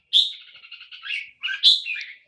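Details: Caged Red-whiskered bulbul singing two bright, whistled phrases that open with a sharp high note and trail into warbling notes, with a short pause between them; a man's voice urges the bird on.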